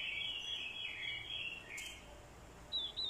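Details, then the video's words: Lure orange-headed thrush in fighting song, prompted by a female's call: a continuous stream of warbled notes fading out, ending with two thin high whistles over a faint hiss. "Chim Quế lâm mồi, hót đấu cực hay. kèm tiếng quế lâm mái, kích trống hót đấu hay."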